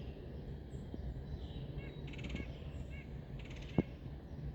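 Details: Red-headed woodpecker in Algonkian Regional Park, Virginia, on 11/25, gives calls typical of the colder months: two harsh, raspy churring calls about a second apart, each led by short thin notes, over a low rumble and wind.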